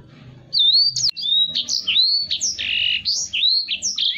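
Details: Black-throated canary, a caged songbird kept to tutor other cage birds, singing a loud continuous run of varied whistled and slurred notes, rising and falling sweeps mixed with harsher buzzy phrases, with a faint low hum beneath.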